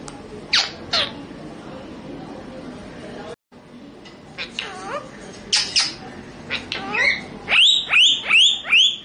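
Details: Pet Indian parrot imitating Hindi speech: scattered sharp clicks and short speech-like syllables over a hissy background, ending in a run of five loud, evenly spaced squawky notes about every half second.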